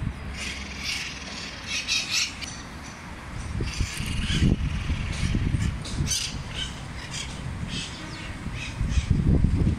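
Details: Flock of parrots flying over a park in Salamanca, Ate, Lima, on 31 August 2022; harsh, grating squawks come in quick bursts over a steady low rumble of traffic.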